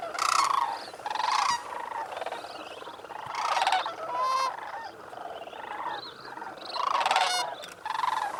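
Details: Sandhill cranes on their water roost at Bosque del Apache National Wildlife Refuge, New Mexico, just after sunrise on November 28, 2010, at 18°F. Loud, rattling bugles swell and fade in waves, with several birds overlapping.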